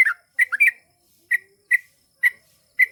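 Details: Trucukan, the Yellow-vented Bulbul, in gacor song: a bubbly opening cluster, then single clear chirps spaced about half a second apart.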